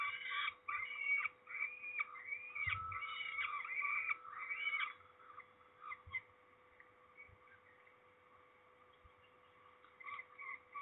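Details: Peregrine falcons at Trzebież, Poland, on 13 May 2019 while being ringed, giving a run of harsh, harmonic repeated calls for about five seconds, then quieter scattered calls and occasional low bumps.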